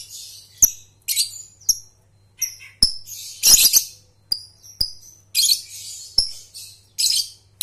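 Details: Lovebird trilling (ngekek) played to teach young birds: bursts of harsh, high rattling trills and sharp chirps in quick succession, with clicks and a steady low hum.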